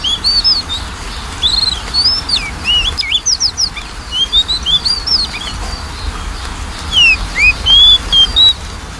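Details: Continuous Oriental magpie-robin song serving as a lure to get a reluctant bird singing: rich run of varied whistles, hooks, rapid upsweeps and chirpy flourishes, with a short lull midway, then sweet sustained notes near the end.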